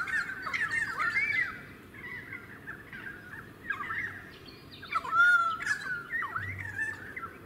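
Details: Pied currawong recorded in a suburban part of Queensland's Sunshine Coast in February 2018, uttering wavering squawky whistles, then a loud ringing upslurred call followed by more slurred notes.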